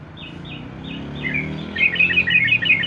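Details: Sooty-headed bulbul in ropel style: three thin, faint high notes open, then a loud, dense burst of fast chattering warbles fills the final second over a low hum.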